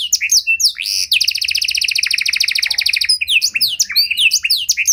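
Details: Panda-type canary in rich cengkok style, a training and baiting song for other canaries: a few sharp chirps, then a long rapid rolling trill lasting about two seconds, followed by quick varied swooping whistles.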